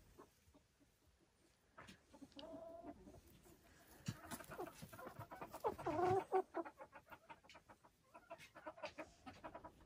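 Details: Silkie chickens on a homestead farm in the Vermont hills, with soft scattered clucks building to a louder burst of harmonic clucking midway, then quick repeated short notes and scratching sounds.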